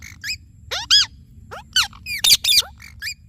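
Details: Talking Indian ringneck parrot producing a rapid jumble of short, bent whistled chirps mixed with a few loud, rasping squawks, irregularly spaced over about three seconds.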